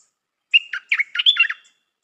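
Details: Caged stripe-throated bulbul kept as a decoy, delivering one clear chattering phrase: a brief whistle, then four rapid liquid notes rising and falling, about one second long, with silence around it.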